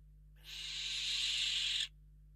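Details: Western barn owl hissing in a webcam nest box at Riet Vell, Ebro Delta, Spain, while an unringed intruder that is not one of the parents is driven out; one loud, rasping, steady hiss lasting about one and a half seconds, then silence.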